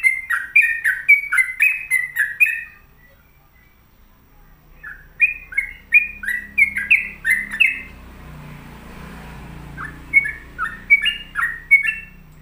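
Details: Sooty-headed bulbul singing vigorously in three bursts of rapid, rollicking whistled notes, each burst about two to three seconds long, separated by pauses, with faint low background rumble.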